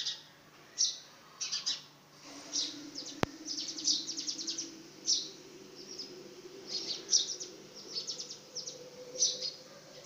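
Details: Young house sparrow attempting its first flight; short bright high chirps in loose bursts every second or so, over a low steady hum.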